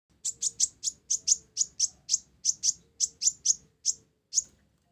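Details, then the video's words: Olive-backed sunbird (kolibri ninja), blorok variety, singing gacor with isian gereja (sparrow-style fill). Rapid string of sharp, high chirps, about sixteen in five seconds, evenly spaced with a short gap before the last note. Quiet background. "Kolibri Ninja Blorok Gacor isian Gereja"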